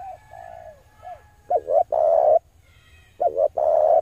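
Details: Male spotted dove cooing, played to attract wild doves: a soft drawn-out coo, then two phrases of quick double notes, each ending in a longer vibrating coo of about half a second.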